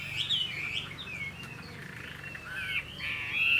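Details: Chinese hwamei kept as a cage bird in Vietnam, giving softer, wandering whistled phrases that swoop up and down, ending in a brighter sustained note over a low background hum.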